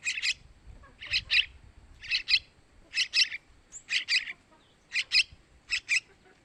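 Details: Sooty-headed bulbul chick begging calls, used as bait for males: paired raspy chirps, each pair about a second apart, plus one short thin whistle midway.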